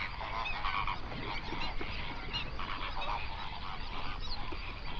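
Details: Flamingo flock of hundreds on a national park lake, Overberg region, South Africa, recorded binaurally at sunrise; overlapping nasal honks and croaking calls form a steady murmuring chorus, with one brief higher note near the end.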